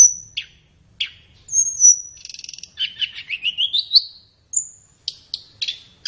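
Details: Flowerpecker song meant for training caged birds in morning or afternoon: isolated sharp high notes, a thin drawn whistle, a buzzy trill, then a quickening rising series of chips, with pauses between.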